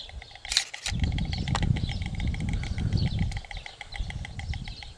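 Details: White stork bill-clattering: a fast train of dry, wooden clicks running through the recording, partly masked by heavy low wind rumble with a short louder burst near the start.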